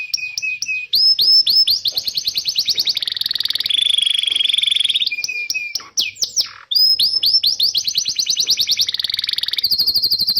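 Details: Canary song meant to stimulate young and silent canaries: nearly unbroken rapid trills of high clipped notes, a steady lower whistle, buzzy rolls, and a swooping dip midway before the fast trilling resumes.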